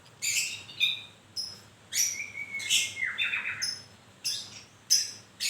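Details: Moulting white-rumped shama delivering sharp high chattering bursts and a long, level whistled note that drops at its end, with short pauses between the phrases.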